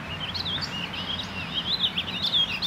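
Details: A warbling vireo sings a fast, run-on warble of rising and falling notes without pause, over a low background rumble; Mystic Lakes, Monday, May 14, 2018.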